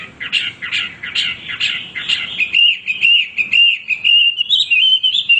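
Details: Hwamei pours out song: a series of broad buzzy chirps about two per second, then shifting into a smooth, sustained, slowly rising whistled trill with clear melodic notes.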